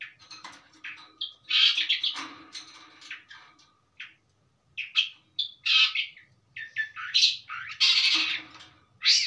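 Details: Steady, settled song of a long-tailed shrike packed with varied fill notes. Loud, shrill whistled phrases and harsh chatter come in quick bursts, with a brief silent break midway and a low background hum.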